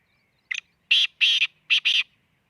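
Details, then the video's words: Loud black francolin phrase recorded around Khushab, Pakistan: a quick short note, two drawn-out harsh notes, then two more rasping notes close together, with no other sounds. "kala teeter ki awaz"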